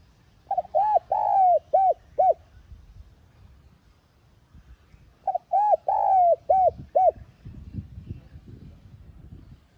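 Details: Spotted dove calling, played to stimulate newly caught captive doves to start cooing; two low, hollow cooing phrases about four seconds apart, each of five arched notes with one longer drawn-out middle note, over a faint low rumble.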